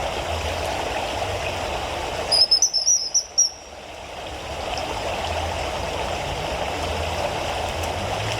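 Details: A Common Kingfisher, one of a pair, gives about six shrill, thin, high whistles in just over a second over the steady rush of a stream, recorded from a hide by an oak, with rain falling.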